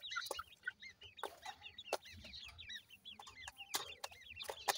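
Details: Young partridge chicks at play produce a busy chorus of high, rising twitters in rapid succession, punctuated by several loud clicking knocks.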